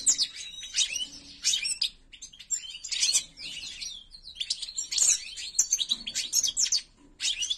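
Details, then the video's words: White-throated form of European goldfinch, a privately owned bird, delivering fast tinkling phrases: bright chirps, rattling trills and short whistles in bursts with brief pauses between them. "AK GERDAN SAKA KUŞU ÖTÜMÜ"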